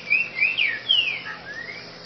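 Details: Green-winged saltator singing in the grego boca mole style: a quick phrase of loud, clear whistled notes, slurred up and down, followed by softer rising and falling whistles, over steady background hiss.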